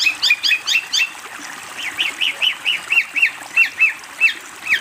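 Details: Long-tailed shrike master song for training young birds: a string of clear, high, downslurred notes repeated about three times a second. The opening notes are doubled and quicker, and the later ones are evenly spaced.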